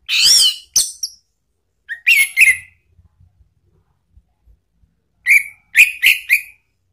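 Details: Lure song of an orange-headed thrush, meant to prompt a kept bird to reply: scattered short whistled and scratchy phrases, some sliding, with silent pauses between groups of notes.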